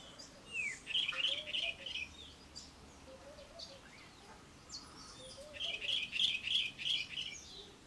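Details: Cape robin-chat in a garden singing quick high trilled phrases, each a run of four or five bright pulsing notes, repeated twice, with soft lower whistles from another bird in the background.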